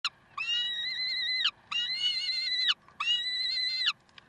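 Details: Peregrine falcons at Karlsruhe on 30 May 2010 at 7:27: three long, harsh, nasal wailing notes about a second each, rich in harmonics and dipping at the end, with short pauses between them and quiet background.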